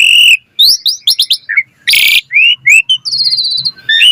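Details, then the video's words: Asian pied starling delivering varied song meant to train other starlings: clear whistles, a chattering run of short notes, one loud harsh rasp, then rising whistles and a buzzy trill. "Jalak Suren Gacor Full Isian Cocok Buat Masteran Suara Burung Jalak Agar Gacor Full Isian Mewah"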